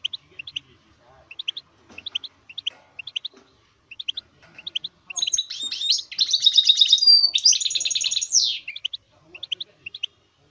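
Goldfinch mule song: high, sharp chirps about three per second, then a rich, rapid twittering run of trills and buzzy notes before the chirps return.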